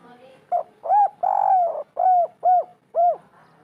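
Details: Spotted dove in a local wild 'kuk 3' style cooing, used to get quiet birds to start calling. Arched, hollow coos repeat roughly twice a second, with one longer drawn-out coo near the middle and a faint murmur between notes.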